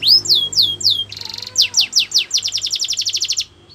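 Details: Canary song meant for training: slow sweeping whistles, a short buzzy trill, then rising rolls of quick descending notes that speed up before fading out.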